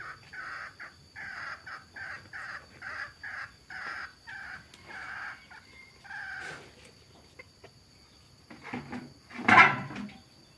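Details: Grown mixed-breed red junglefowl, both sexes, Nam Som, Udon Thani, Thailand: close, evenly spaced clucks roughly twice a second for six seconds, then quieter notes and a sudden loud thump near the end.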